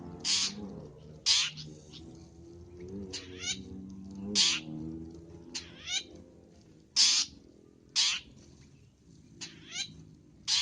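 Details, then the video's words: Long-tailed shrike in a training recording full of fill phrases in an active singing state: harsh, raspy bursts at irregular intervals mixed with lower, wavering tonal phrases and a soft hum underneath. "MASTERAN BURUNG CENDET FULL ISIAN GACOR"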